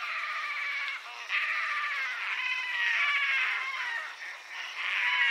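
A continuous chorus of nasal, wavering moans and squeals from several painted storks, overlapping and rising and falling in loudness throughout.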